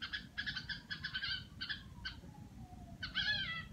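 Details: Home-kept red-whiskered bulbul in "rò" mode, a rapid series of raspy, harmonic-rich chattering bursts and a longer slurred note near the end, with a faint tone sweeping underneath.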